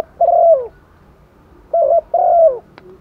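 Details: Female spotted dove decoy calling to males in the wet season: a long rolling coo sliding downward, a pause, then a short level coo followed by another falling rolling croo.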